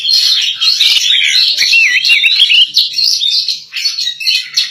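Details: Female white-rumped shama in lively song: a rapid unbroken stream of high warbled, wavering whistles and chattering notes, with quick up-and-down slurs, loud and dense from start to finish.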